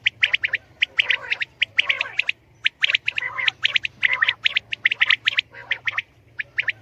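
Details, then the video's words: Common quail (batair) calling: a dense run of sharp, clipped high notes in quick groups, mixed with lower harsh squawking calls from other birds and a faint steady low hum. "Batair ki Awaz , Batair Sound vol 69 , Common Quail Sound 2020 | Common quail Calling"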